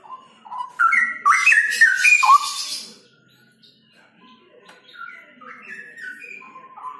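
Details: Adult straw-headed bulbul giving loud, rich, bubbling whistled phrases that jump up and down in pitch, with a quieter second burst of fluid notes after a brief pause.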